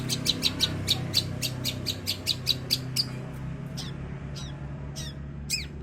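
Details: Young long-tailed shrike practising Kunti: rapid thin, ticking high notes about four a second, then a few slurred whistles, over a loud low rumbling background.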